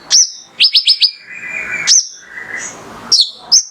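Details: Mangrove whistler (konin) singing to provoke other birds into song: sharp high whistles sliding downward, a quick burst of four clipped notes, and a softer lower rasping phrase between louder whistled notes.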